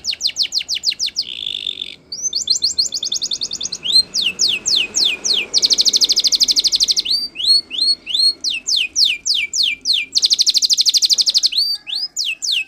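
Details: Spanish Timbrado canary training song alternating fast rattling rolls with repeated steep falling whistles and dense buzzy trills, continuous and loud throughout.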